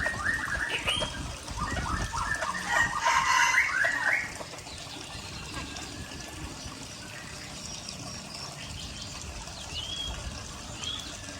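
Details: Red junglefowl from Aceh on a lure recording: a dense, rapid run of harsh, clucking notes for about four seconds, then quieter background with occasional thin whistles of other birds and a soft running-water hiss.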